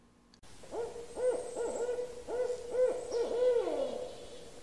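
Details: Barred Owl giving its primary call, the rhythmic "who cooks for you, who cooks for you all": about eight deep, rounded hoots in quick phrases ending in a drawn-out, descending "all".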